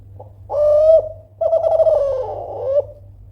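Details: Loud Kelantan spotted dove call aimed at provoking rivals: a full mellow coo followed after a short pause by a long rolling, burry coo that sags in the middle and rises at the close, with low background hum.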